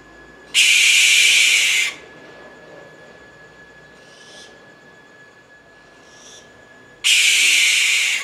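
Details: American barn owl (Tyto furcata), screech call.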